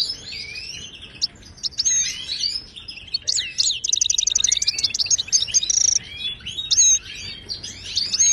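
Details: Moroccan wild goldfinch song used for training caged birds: sweeping slurred notes open the phrase, followed by a rapid rattling run of clipped notes midway and scattered bright chirps at the end.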